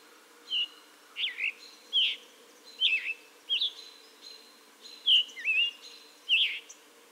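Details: Spring song of a Scarlet Tanager in central/eastern US backyards: hoarse, burry, robin-like phrases ("hurry, worry, blurry"), about eight short slurred notes in seven seconds, with a faint background hum.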